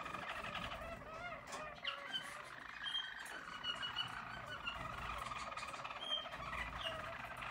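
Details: Yellow Harz German Roller canary singing in 2022, a continuous low rolling song of dense, buzzy trills with layered harmonics, steady in volume with small swells, under a faint background hum.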